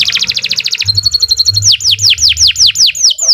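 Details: Lively canary song used as a master for training other birds: a fast buzzy trill, a thin held whistle, then a series of loud high notes each sweeping downward, over a low steady hum.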